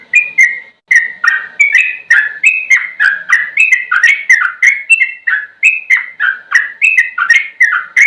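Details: Sooty-headed bulbul singing a rapid rolling sequence of clear, slurred whistled notes, mostly falling, delivered nearly three per second with little pause; no other sounds stand out.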